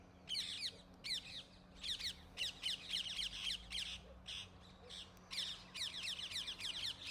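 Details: Rose-ringed parakeets in Gurugram, India give harsh, grating screeches in quick bursts, several birds calling over one another, with a faint steady hum beneath; recorded with a camera's built-in mic.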